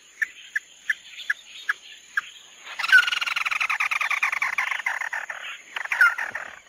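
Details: Tí nỉ song of the chim mắt đỏ. About six spaced, bright chip notes open the clip, then a long, dense, buzzing trill runs for about three seconds, ending with a few sharp notes. A faint steady high tone runs underneath.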